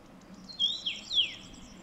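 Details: Common rosefinch delivering a brief whistled phrase of three slurred notes, rising and falling, against quiet background.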